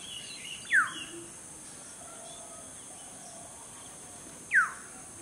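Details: A Black-hooded oriole singing from a tree branch in a garden, singing to attract a mate, gives two loud, clear whistled notes, each sliding steeply downward, about four seconds apart, over a steady high insect drone.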